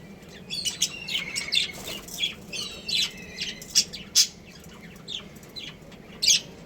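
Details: Captive breeding pair of budgerigars kept as pets, chattering steadily: rapid scratchy chirps and warbled notes, with short loud squeaky bursts every second or so and a faint low hum behind.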